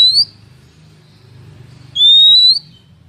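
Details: A female Oriental magpie-robin calls to stimulate males and lure them in for trapping, giving two clear, high whistles: a brief upslurred note, then after a pause a longer, steady, slightly rising whistle, over a faint low hum.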